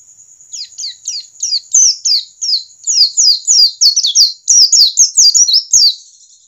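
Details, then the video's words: White-eye of standard wild stock, sung to prompt other white-eyes to open up: high slurred chirps start softly, then build into a fast, dense run of descending whistled notes, with a thin continuous high tone behind. "Jangan remehkan pleci ngalas standar, justru ini yang dapat mempercepat pleci buka paruh."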